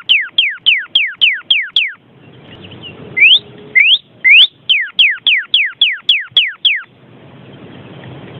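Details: Vermilion cardinal giving clear whistled notes, each sliding steeply downward, in a fast series of about seven, then three rising upslurred whistles, then another run of falling whistles; low hiss and rumble fill the pauses.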